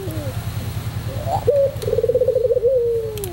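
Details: Pelung-type white Barbary dove in song, recorded as tutor material: after a low rumbling background, a quiet rolled coo rises into a quavering trill and settles into a long falling note.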